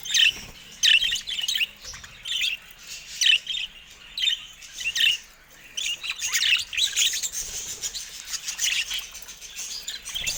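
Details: Several pet budgerigars in a cage, said to be attacking a camera: sharp chirps repeated roughly every second, then running into a longer stretch of dense, grating warbled chatter.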